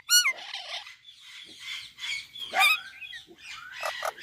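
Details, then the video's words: Indian parrot (mitthu tota) talking: a sharp harmonic squawk opens, then a run of raspy, speech-like syllables with rough mid-to-high tones, and a louder burst near the middle. No other sounds. "Indian Parrot Talking Video | Mitthu Tota Ki Awaz"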